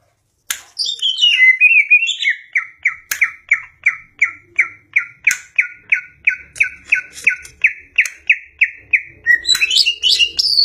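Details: Caged greater green leafbird singing energetically, recorded 4 September: a sweeping descending whistle opens, then a long regular series of bright downslurred chirps about three per second, ending in rapid high twittering.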